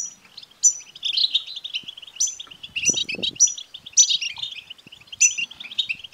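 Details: European goldfinch twittering song, used to spur a caged male goldfinch into singing; fast chattering notes with sharp high tinkling bursts recurring every second or so, and a brief low thump near the middle.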